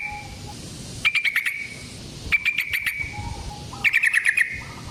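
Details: Yellow-vented bulbul in a long fighting song meant as a lure: three short bursts of five or so rapid chattering notes, with faint whistled tones between them and low background hum.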